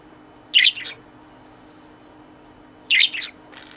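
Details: Caged pet budgerigar addressing its toy friend, giving two brief, bright chirp bursts about two and a half seconds apart, each a quick squeaky flurry, in an otherwise quiet room.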